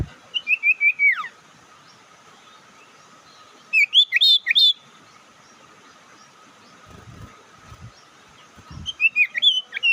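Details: Bird lure call to stir up rival birds: quick stepped whistles sliding down at the start, a mid-clip cluster of sharp rising chirps, and another burst of chirping at the end over a low hum.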